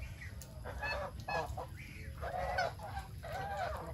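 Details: Farm-raised geese calling while eating their food: a run of nasal, harmonic honks in overlapping bursts, some short and some drawn out, over a steady low rumble of background noise.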